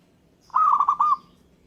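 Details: Song of a local zebra dove, described as making other birds answer and sing along: one trilled phrase of soft gurgling coos in a quick even rhythm, a small pause before the last longer note, then silence.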